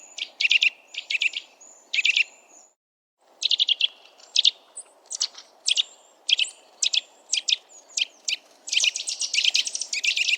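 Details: Piping calls and trills of a wild Eurasian nuthatch (Sitta europaea): varied series of sharp high notes, with a brief silence near the third second, building into a fast, continuous trill at the end.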